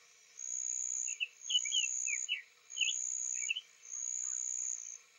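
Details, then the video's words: Soft song of a newly arrived male Summer Tanager, Lafayette County, Florida, early April morning; a few quiet slurred, up-and-down whistled phrases in quick succession beneath a steady high insect drone that swells and fades roughly every second. "Summer Tanager Singing Softly"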